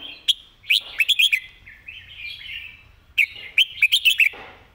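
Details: Red-whiskered bulbul singing a repetitive master song: two bouts of rapid, bright, bouncing whistled notes, each bout followed by a softer wavering warble, in a quiet setting.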